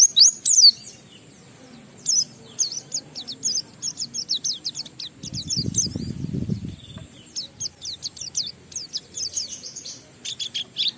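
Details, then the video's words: Oriental white-eye in ngalas song with riwikan fills, used to stimulate other white-eyes: repeated short bursts of very high, thin chirps, with a low rumbling noise in the middle. "Burung Pleci Gacor NGALAS Isian sambung Riwikan"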